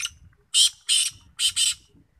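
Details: Kept black francolin, checked after a winter of rest and feeding, gives four loud, harsh, grating bursts in two quick pairs. Soft low rumbles sound in between.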